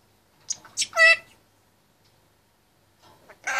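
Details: Caged 25-month-old Indian ringneck parakeet chattering: a few short harsh syllables and a rising, voice-like phrase, a pause, then another burst of chatter at the end.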